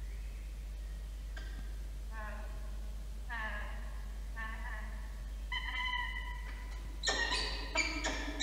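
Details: Peregrine falcon on a nest camera ledge on 31 August 2023 as a female lays her third egg; drawn-out harmonic wailing calls, then a harsh rapid chatter at the end, over a low hum.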